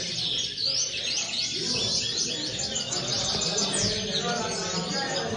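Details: Common linnet twittering rapidly: a run of short chirps and thin rising whistles packed closely together, unbroken for several seconds, with a soft rumble of background noise underneath.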